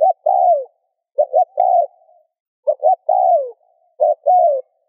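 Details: Spotted dove cooing to stimulate other doves to coo: low hollow phrases, each two brief clipped notes leading into a longer slurred coo that drops at its end, repeated about four times in under five seconds, no other sounds.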